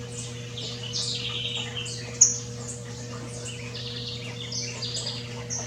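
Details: Wild saffron finch singing free in nature: short bright chirps and buzzy high notes in quick bursts, with one sharp click and a low steady electrical hum underneath.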